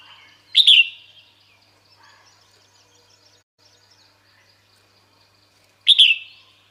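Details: Female red-whiskered bulbul calling to draw males to her: two sharp, bright chirps with short downward-trailing tails, about five seconds apart, separated by a quiet stretch with faint distant twittering.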